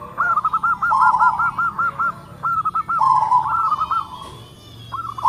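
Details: Local zebra dove, noted for a big voice and dense notes, repeats rapid chains of short, bouncing coos on one pitch, roughly eight in a row, with a rolling trill mid-phrase and quieter overlapping notes.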